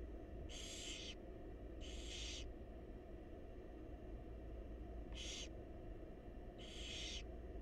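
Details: While their mother feeds them, wild barn owl babies in a nest box give four coarse hissing screeches with uneven gaps. A low electrical-sounding hum runs throughout.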